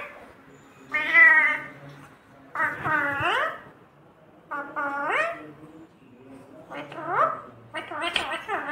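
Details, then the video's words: A pet parrot mimics the words "mummy papa", with harmonic, nasal two-part utterances that rise and fall, repeated about every two seconds indoors over a low steady hum. "Mummy Papa Bolne Wala Tota Mithu"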